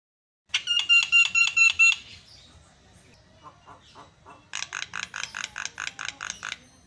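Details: Javan myna singing vigorously, played to provoke quiet mynas into song: a train of loud buzzy, grating bursts with a thin whistled thread, a pause with softer clicks, then another fast series of harsh rasping notes.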